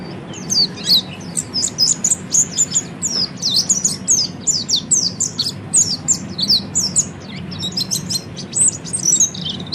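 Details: Oriental white-eye (peleci) ngeriwik song for training birds to ngeriwik and ngepelong; nearly continuous chain of high, sharp, down-slurred chirps repeated rapidly for ten seconds, steady low hum behind.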